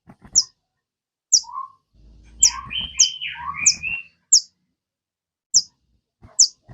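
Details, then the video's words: Kept sogon bird calling to prompt cage birds to sing: crisp high chips spaced about a second apart, interrupted by a cluster of lower, slurred whistled notes over faint rumbling. "PANCINGAN SOGON. BIAR SOGON MU IKUT CEPAT RAJIN BUNYI"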